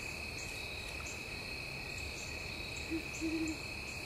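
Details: A Great horned owl at Mt Nittany at sunset gives a single low hoot, then a quick stuttered run of three soft hoots, over a steady high drone of insects.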